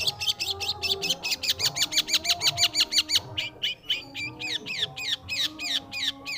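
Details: Energetic long-tailed shrike song: a dense burst of rapid, scratchy chips that loosens after three seconds into spaced, down-slurred squeaky notes, over quiet background music.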